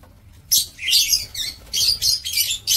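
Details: Aviary lovebirds kept for breeding, recorded 2 October 2024: after a short silence, rapid shrill squeaks and raspy chatter follow in quick, uneven bursts, loud and high, continuing to the end.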